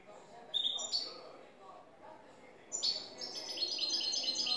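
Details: European goldfinch, cante limpio song: two isolated high chirps, a quiet stretch, then a sustained run of quick, high twittering notes growing steadily louder.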